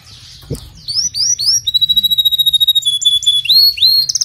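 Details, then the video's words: Canary song played to encourage a weak-singing canary: a loud run of rising whistled notes, then a long steady high whistle and rapid trilled pulses, ending in quick rising sweeps. "إذا لديك كناري ضعيف في تغريد سمعه هذا الغناء"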